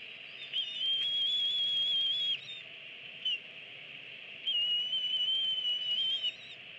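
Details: Eagles feeding two eaglets aged 25 and 26 days at the nest, recorded by nest camera on 24 April 2017. Two long, level, high whistles, each lasting nearly two seconds, with a brief short note between them.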